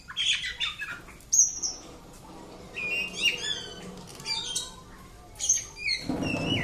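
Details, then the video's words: Pet Oriental magpie-robin singing bright whistled phrases and sharp slurred notes in separated bursts, ending with a loud rustling, flapping noise. "Tes nyali Kacer rumahan"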